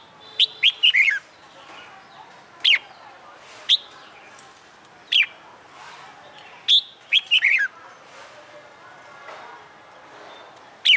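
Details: Caged red-whiskered bulbul in training for fighting song, delivering scattered sharp chirps and short warbled bursts at irregular intervals over about eleven seconds, with faint background noise between notes.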